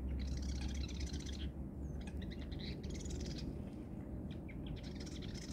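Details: A Marsh Wren singing from reeds circling a lake, heard from a kayak on a March morning, gives high, dry, buzzy rattling trills in quick bursts over a steady low rumble of wind or distant traffic.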